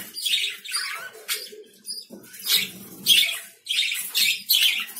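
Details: Lovebird calls: a quick run of piercing, scratchy chirps, some doubled, separated by brief pauses over a soft background murmur.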